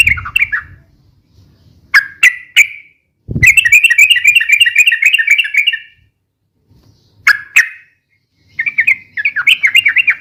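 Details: Sooty-headed bulbul, song meant for lure-calling and tutoring, long and rapid: short sharp notes, a quick run of repeated bubbling phrases, then further clipped notes and a closing warbled burst.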